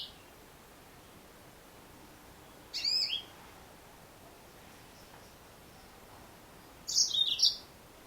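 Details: Two separated bursts of high, squeaky chirping come from a female yellow-fronted canary, about four seconds apart. Each lasts roughly half a second and has a jumpy, falling shape, with quiet hiss between them.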